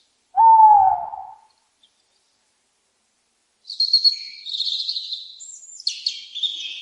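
An owl gives one drawn-out, slightly falling hoot lasting about a second. After a pause, small birds twitter with high, thin chirps.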